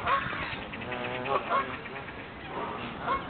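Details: Noisy Canada geese on a pond at the head of the River Wandle: clipped, reedy honks, a few rising at the end, scattered across three seconds over continuous background noise.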